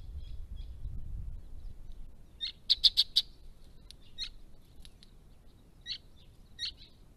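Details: White-browed woodswallows, a large group of immatures, females and males at a pond in December 2016, give short, sharp chirps, with a quick burst of four loud notes near the middle and scattered calls after, over a low rumble.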